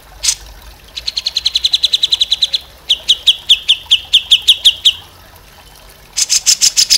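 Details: Grey-cheeked bulbul (cucak jenggot) song used to train other birds: one sharp note, then long even trains of quick clipped chips, slightly lower in the second run, ending with a burst of rapid high notes.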